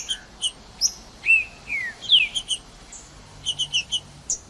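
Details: Singing green-winged saltator, used to stimulate a cold bird: scattered chips, then several clear descending whistles, ending in a quick run of four or five crisp chip notes.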